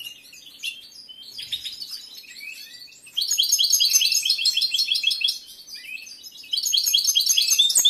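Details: Male European goldfinch kept indoors, in breeding condition and prized for a large competition repertoire, delivers fast, bright, jingling twittering phrases with buzzy notes, quieter at first and then in two loud runs.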